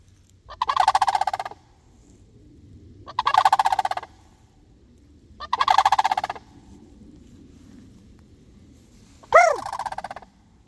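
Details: Three rolling, rattled calls from sandhill cranes answering a person, evenly spaced about two and a half seconds apart. A fourth, shorter call starts with a rising-falling note.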